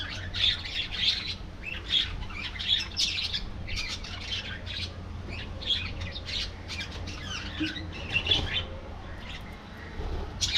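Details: Budgerigars in an aviary colony, singing and chattering together: dense overlapping bursts of high chirps, squawks and warbled notes, with brief sharp peaks and a steady low hum underneath.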